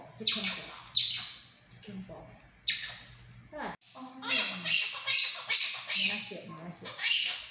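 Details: Pet monk parakeet mimicking Mandarin phrases such as 'mama' and 'say sorry' indoors: raspy, high-pitched speech-like bursts in several phrases with short pauses, a faint low human voice beneath.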